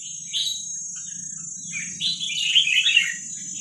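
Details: Young wild red-whiskered bulbuls from Vietnam, kept for training young birds: a brief chirp early, then a dense tumbling run of sweet, jumbled notes in the second half, against a steady high whine and low hum.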